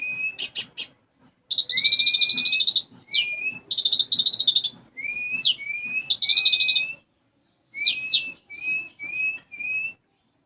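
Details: Konin sunbird singing with imitated sparrow phrases: loud rapid buzzy trills alternate with sharp rising whistles, ending in a series of short level whistled notes.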